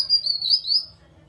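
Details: Grey-cheeked bulbul call used as a lure to prompt other bulbuls to sing: one high, thin whistled note lasting about a second, wavering slightly in pitch and fading out, over a faint low hum.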